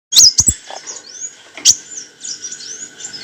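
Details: Olive-backed sunbird, a cage bird whose song is used as training material: a few sharp high chirps and short thin whistled slurs, with faint background chatter between them.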